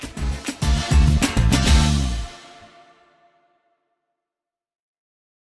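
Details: A short burst of music with deep bass hits and bright percussion lasts about two seconds, then fades into silence.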